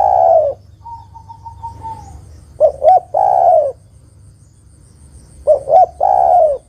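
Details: Female spotted dove calling a male, used as a lure call: two short clipped coos followed by a long, rolling, slightly descending coo, repeated about every three seconds, with a fainter level whistle between phrases.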